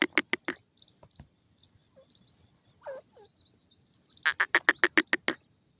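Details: Francolin kept in a cage, sitting on top of it and calling other birds, utters a short run of four harsh notes, then quiet chirps, then a faster run of about eight notes.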